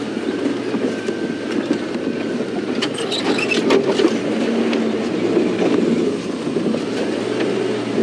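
A steady vehicle rumble with faint voices and clicks, with no clear animal call.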